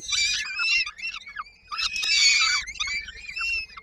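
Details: Peregrine falcon chicks on a nest in Koszalin, Poland, on 19 May 2022, waiting for their mother to bring supper: harsh, wavering screeching calls overlap in dense bursts with brief pauses between them.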